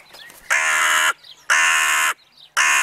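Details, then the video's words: Crows on an evening: three loud, raspy, evenly sustained caws, each lasting over half a second and coming roughly one second apart, with faint small-bird twitters in the short gaps. "Krähenabend / Crow evening"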